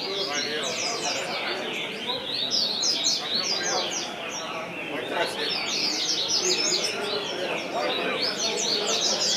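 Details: Several double-collared seedeaters sing at once at a singing tournament ring, with bright, rapid, overlapping chirps and twittering phrases in a continuous high chorus. People talk in the background.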